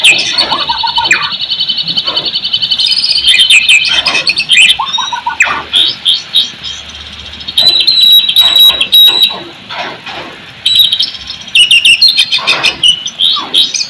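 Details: White-rumped shama song played as a lure to rouse silent, reluctant shamas into singing: dense, varied high whistles and rapid chattering trills, sustained notes around the upper register, brief pauses between bursts.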